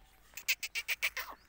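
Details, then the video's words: Black francolin giving a short run of six sharp, grating notes in quick, even succession, clear against a quiet background. "Kala Teetar Ki Awaz | Black Francolin voice | Kali Mai Ki Awaz"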